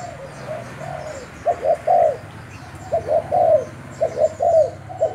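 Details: Decoy spotted dove of Thai stock used for calling, giving soft low cooing phrases of two to three rounded notes, each phrase separated by short pauses, with faint high bird chirps in the background.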